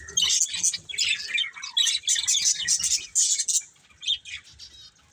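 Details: Colourful budgerigars, a breeding pair, chirping: dense, scratchy high chatter and warbled twitters in quick bursts, fading to scattered chirps near the end.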